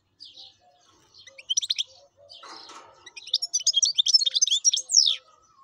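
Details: Wild European goldfinch singing: short twittering bursts, a rougher scratchy passage, then a long rapid sequence of tinkling, chattering notes ending in a descending slur.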